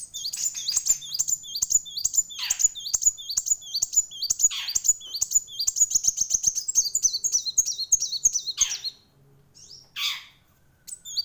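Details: Kolibri wulung singing loudly and persistently; a fast series of high, sharp, downward-flicking notes repeated rapidly for nine seconds, broken by a few lower sweeping calls, then pausing before a final burst.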